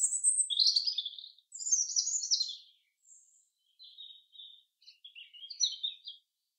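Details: Forest song of a common chaffinch: two loud, fast, high twittering phrases open the recording, followed by softer, scattered chirps and a final rapid flourish.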